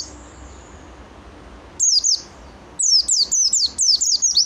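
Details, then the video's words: High, sharp downslurred whistles from an oriental white-eye, first a pair, then a fast run of about eight notes about a tenth of a second apart; quiet background otherwise. "KUMPULAN BURUNG PLECI NGALAS SAMPE BUKPAR GACOR"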